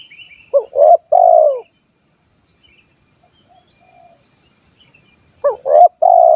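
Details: Lure call for wild spotted doves: a low hollow phrase of a stuttering double note and a long falling coo, repeated after about four seconds of near silence, with a faint steady high hiss.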